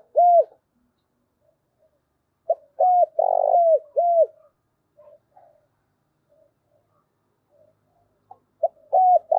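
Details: Repeated spotted dove coo phrases, a provoking call to make doves answer fast: three phrases of a short note, level coos and a rolling downward coo, separated by quiet gaps with faint scraps of sound.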